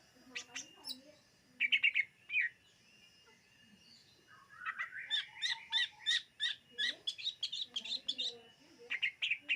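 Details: Greater green leafbird (cucak ijo) singing in a 2022 recording made to lure birds: short clear phrases, a pause, then a fast stream of high, bright chattering notes that runs to the end.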